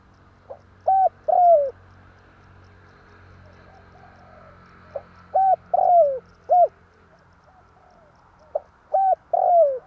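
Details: Spotted dove calling as a trapping lure: low hooted coos, a pair of short notes then a longer drawn-out coo falling at the end, phrases repeated about every four seconds with a faint background hum.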